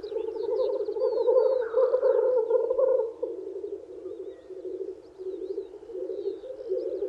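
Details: Spring lek of male black grouse courting females. Dense, throbbing low bubbling runs on without pause, loudest over the first three seconds and then fading, with scattered faint high whistles.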